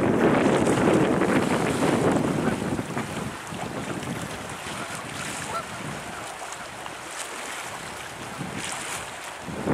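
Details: Strong wind buffets the microphone, with a rushing surf-like roar that eases after a few seconds and no animal calls.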